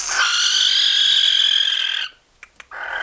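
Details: Young captive barn owl (Tyto alba) begging for food: a long, harsh, hissing screech, broad and steady for about two seconds, then a brief pause before the rasp starts again.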